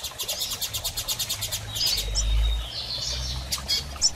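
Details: Female Double-collared seedeater calling to prompt a male into song after moult; a fast, evenly spaced series of about a dozen high ticking chirps, then scattered thin notes, over a steady low hum.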